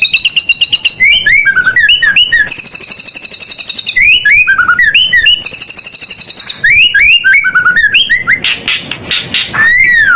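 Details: Rich white-rumped shama song packed with varied fill-ins, used for prompting other birds: rolling downward whistled notes alternating with two long, fast, high buzzy trills, continuous throughout.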